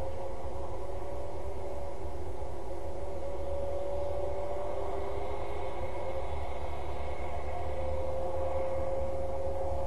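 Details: Constant low rumbling hum with faint steady tones, like machinery or a vehicle, and no animal sound.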